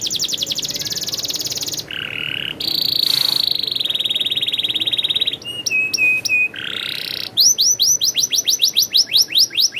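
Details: Canary delivering a rolling song with varied tours: a rapid high trill, buzzy harsh passages, short flat whistled notes, then quick descending sweeps in a steady series.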